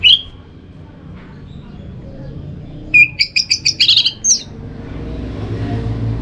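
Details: Orange-headed thrush song, played to stimulate other thrushes to sing in a covered cage or in the morning: one high whistled note, a pause, then a rapid burst of about nine sharp, high chirping notes over a low background hum.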